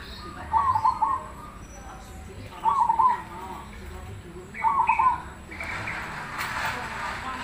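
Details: Black cemani Krosing zebra dove singing to prompt other doves to reply: three rolling, quavering coo phrases about two seconds apart, followed by a burst of broad rustling noise.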